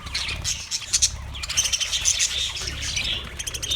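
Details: Australian parrots, March 15, 2024: shrill, grating squawks and chirps in quick succession from several birds, with a steady low hum underneath.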